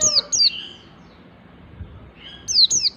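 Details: High thin notes from a white-eye singing ngalas style and practising nembak, used to set other white-eyes singing: a pair of sharp falling notes, a long quiet gap, then another pair.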